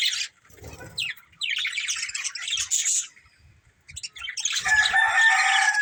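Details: Budgies of a breeding pair and family: short warbling chirp bouts with falling sweeps, a quiet gap, then a louder run of chattering with clear whistled tones.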